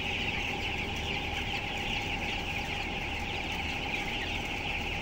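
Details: Closed-house broiler flock of 7,000 birds, aged 12 days and weighing 423 grams. Dense, overlapping high-pitched peeps continue without a break over a loud, steady machine roar.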